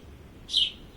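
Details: A house sparrow in a courtyard gives one bright, high chirp lasting about a fifth of a second over a faint low background hum.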